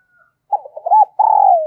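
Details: Spotted dove kept as a decoy bird, calling to excite and lure wild doves: a short run of low, soft cooing notes, then a long, loud, buzzy coo that slides gently downward. A faint high whistle is heard at the start.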